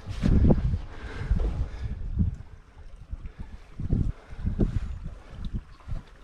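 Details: Outdoors on wilderness canoe waters, low gusting wind rumbles against the microphone with soft splashes and knocks of paddling; no animal sounds.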